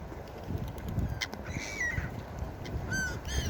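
Gulls give two or three short, nasal, slightly falling cries over a steady low rumble of surf and wind.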